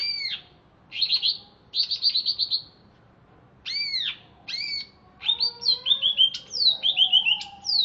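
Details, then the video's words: Caged greater green leafbird, originally from Alas Purwo forest in Banyuwangi and kept in Jatiasih, Bekasi, singing right after being bathed. Loud, chatty phrases of arched, whistled notes come in bursts with short pauses, followed by rapid sliding, descending notes. "Cucak Ijo Alas Purwo Cerewet"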